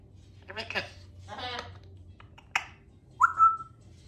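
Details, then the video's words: Pet male African grey parrot indoors mimicking the phrase "gimme a kiss" after his owner says it. Two speech-like syllable bursts are heard, then a short, bright, rising whistle near the end, over a low room hum. "African Grey Parrot, dads says gimme a kiss and Symons repeats it"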